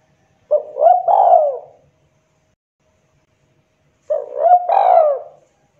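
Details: Spotted dove (tekukur) lure call to attract other doves: two separate phrases of low throaty cooing, each a short note and a longer rolling, descending coo, with a quiet gap between.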